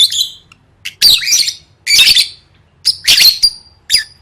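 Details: Lovebird singing for competition training: shrill, buzzy squawks and squeaky chirps in short bursts about a second apart, very high-pitched and close, with quiet gaps between phrases.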